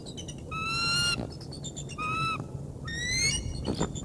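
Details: Bald eagle bringing prey to the Decorah North nest on 3 March 2019, calling with three clear, piercing whistled notes that rise slightly in pitch and are separated by brief pauses, over low rumbling background noise.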